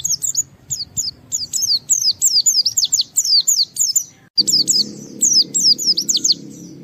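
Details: White-eye (pleci) singing vigorously, challenging a rival to provoke other white-eyes into song: rapid bursts of high, thin, sweeping whistled notes in quick chirpy phrases, brief pause midway, then a low background hum.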